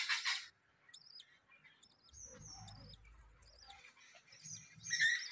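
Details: Budgerigars kept at home with newly hatched chicks: a loud rough burst at the start, then repeated thin, wavering high chirps in paired notes and brief squawks, with faint low rumbling in the middle.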